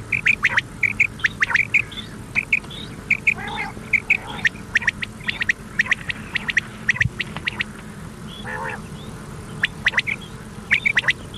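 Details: Common quail recorded on an old cassette, played at night: rapid short notes grouped in twos and threes recurring steadily, with a faint rasping sound, tape hiss and clicks.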